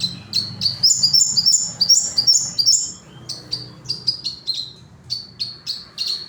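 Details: High, busy chatter from a sogon: overlapping squeaky chirps for about three seconds, then crisp separate downslurred tweets repeated at an uneven, fairly quick pace; low background hum.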